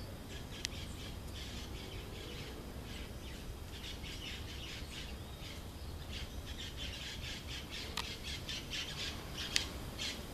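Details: A Campo Flicker feeding on Rapanea ferruginea fruits in a garden gives harsh, squawky notes in quick uneven runs, fairly faint above a steady low rumble of background noise.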